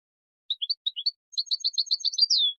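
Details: A few spaced, clear chirps open this goldfinch song, then it quickens into a tight tinkling sequence ending in a falling buzzy note. Recorded as song training for young goldfinches.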